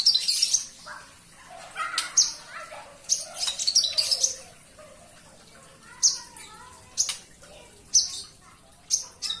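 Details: Javan bush lark singing actively indoors: clusters of sharp high chirps and a few lower whistled notes, tailing off into spaced single calls.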